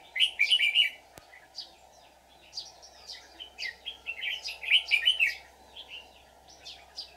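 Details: Red-whiskered bulbul decoy singing a fighting song to lure wild birds into a trap on 24 July 2019. Loud rich warbling bursts alternate with scattered short whistles, with one sharp click and a constant low hum.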